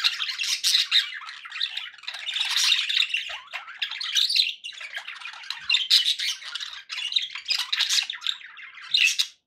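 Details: Pet budgies chattering for relaxation: a steady stream of raspy, warbled squawks and chirps, several birds' voices overlapping, barely pausing across the stretch.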